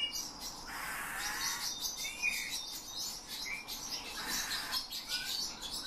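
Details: Captive Eurasian bullfinch taught by its owner, singing phrases that imitate human whistling and include nightingale and thrush phrases; short rising whistled notes among busy high twittering and chirps.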